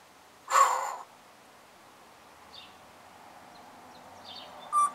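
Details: Pet African grey parrot recorded on 24 July 2021: a harsh, rasping squawk, then faint chirps, then a shorter sharp squawk at the end over soft room noise.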